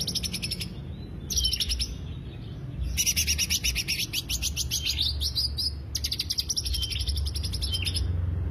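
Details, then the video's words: Greater green leafbird lure song: four dense bursts of fast, shrill trilled chips, some ending in rising whistled slurs, with a constant low rumble behind. "pancingan suara cucak hijau"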